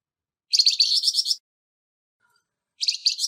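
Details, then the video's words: Flamboyan bird singing in a harsh tone, recorded to train songbirds. A second-long grating rattle of rapid pulses, a pause, then the start of another scratchy burst, all in quiet surroundings. "Burung Flamboyan Suara kasar"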